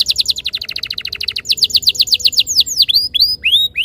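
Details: High canary trill of rapid repeated notes giving way to slower, wide whistled sweeps, used as a lure to make canaries sing quickly.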